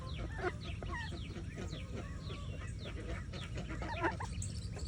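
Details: In the morning, mallard ducklings swimming with their mother give a steady stream of thin, high, downslurred peeps, several at once, over a low rumble of wind or water.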